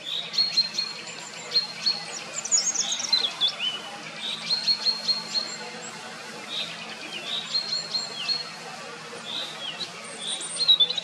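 A song thrush's quiet, rambling subsong: soft, high twitters, squeaky notes and brief chirrups in loose, continuous runs, over light background hiss.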